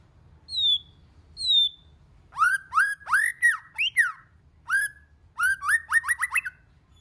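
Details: White-rumped shama song in several voices, for stirring other shamas: two high falling whistles, then sequences of full, rising whistled notes ending in a rapid stuttering trill of short upslurs.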